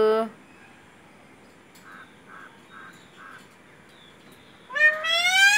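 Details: Talking parrot calling out "mummy": a harmonic tail of the word opens the recording, faint soft sounds follow during a quiet pause, then a two-part rising "mum-my" ends it.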